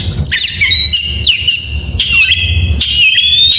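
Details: Oriental magpie-robin in the morning giving a few clear whistled phrases with steep downward slides and sustained high notes, separated by short gaps, in the 'gacor mewah' style.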